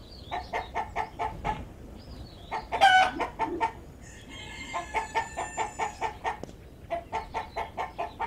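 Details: A backyard hen walking in a garden with her chicks gives rapid, low clucks, several each second, in short bursts, while the chicks give thin, high peeps alongside.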